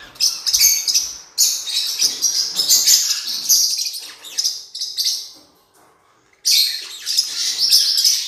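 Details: High, rasping twitter from a blue-winged parrotlet singing, offered as training material: continuous scratchy chirping runs, a short silence near six seconds, then renewed bright chatter.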